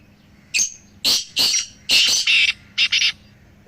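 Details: Three black francolins giving harsh calls to encourage a silent pet francolin. One loud phrase of rasping notes, the middle notes longer and grating, ending in a quick doubled note. Faint low hum behind.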